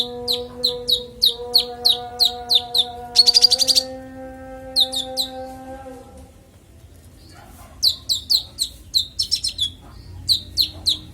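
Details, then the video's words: Konin song as master audio for songbirds: evenly repeated sharp high downslurred chips, about three per second, with a short buzzy trill, a pause holding only faint steady tones, then the chipping resumes. "Konin bongkar isian suara jernih"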